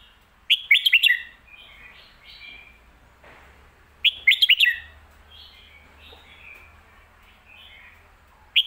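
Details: Lak wai / mae bot song of a red-whiskered bulbul. Loud bursts of rapid whistled notes come about every four seconds, with soft twittering warbles between them and a phrase starting again at the end.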